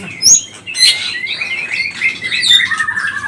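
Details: Lure song of a white-rumped shama (pastol type), used to excite kept shamas into singing. Short bright whistles and quick chirping slurs follow each other in a dense, irregular stream.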